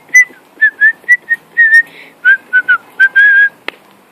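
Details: Pet cockatiel whistling while flying indoors: a run of short clear whistled notes around one pitch, some slurred or rising, about a dozen in quick uneven succession, ending with a brief click; a person speaks encouragingly nearby.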